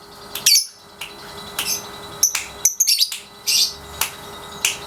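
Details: Young Pasjo lovebird, 3.5 months old, caged and in daily ngekek training; scattered high squeaky chirps and brief harsh bursts with uneven gaps.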